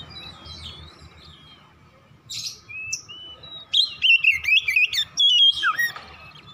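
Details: Morning song of an Oriental magpie-robin, played to get other birds singing: quiet scattered notes at first, then loud bursts of twisting whistles and chips in quick succession.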